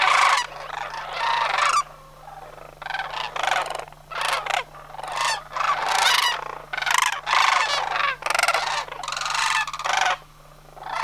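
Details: Homer's migrating sandhill crane flock, September 2009: about a dozen throaty, trilled bugle calls follow one another with brief pauses, several birds overlapping at times, above a faint constant low hum.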